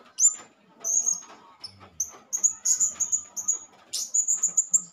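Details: Lure calls of a male blue-crowned hanging parrot meant to rile other hanging parrots: sharp, high-pitched chirps that build into rapid strings of five to six shrill notes, with soft background rustling.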